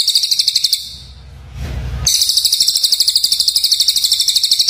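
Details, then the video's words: Black-crested bulbul used as training song for white-rumped shama: rapid, dense high-pitched chattering trills repeated about three times a second, briefly broken by a low rumbling noise before resuming. "suara burung cucak jenggot"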